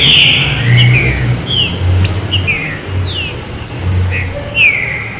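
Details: Green-winged saltator in the 'serrinha fino' song style meant to stir other birds into singing: clear downslurred whistles repeated irregularly, roughly one every half second, with a constant low rumbling background.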